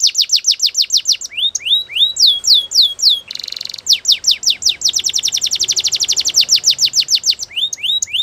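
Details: Belgian canary in morning song: fast repeated downslurred whistles, a brief buzzy rattle, then a long quick-fire series of sharp notes ending in rising whistles, over a faint low background hum.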